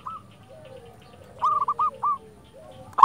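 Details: After a single soft coo and a pause, a local silver zebra dove delivers a quick run of four or five short hooked coo notes, with faint low cooing from another dove behind.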